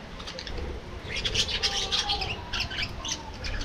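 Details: Budgerigars in an aviary at afternoon feeding time, rapid sharp chirps in quick bursts over a low background rumble, growing busier midway.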